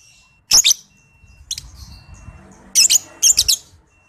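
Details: Shrill, raspy chattering bursts from a young 'paud balibu' lovebird in a master recording meant to train others: one strong double burst, a softer one, then two loud stuttered bursts close together.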